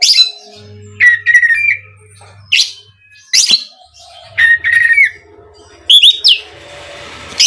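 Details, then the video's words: Oriental magpie-robin giving short whistled phrases and harsh rasping bursts every second or two, used as a lure to provoke other magpie-robins to sing, over a faint low hum. "SUARA BURUNG KACER INI AMPUH UNTUK PANCINGAN KACER AGAR CEPAT KONSLET DAN NGEPLONG"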